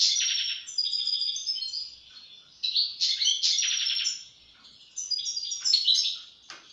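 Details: European goldfinch singing rich, rapid twittering phrases mixed with clear whistled notes and buzzy rattles, in several sustained bursts.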